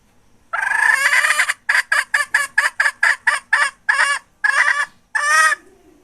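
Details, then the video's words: Hen from 2021 giving a long harsh squawk, then a fast run of about nine short clipped, nasal clucks and two drawn-out rasping notes, in otherwise quiet surroundings. "Suab poj qaib seev dib tuaj"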